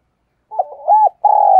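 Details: A spotted dove coos, part of thúc gù and gáy gọi calling used to lure wild doves: a soft wavering stutter leads to a rounded coo, then a long steady coo that is cut short.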